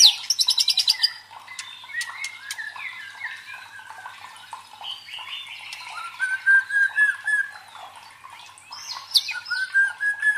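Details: White-rumped shama song played to provoke and train fighter birds: opening burst of rapid clicks, varied chattering phrases, and two long clear whistled notes with trills near the middle and end.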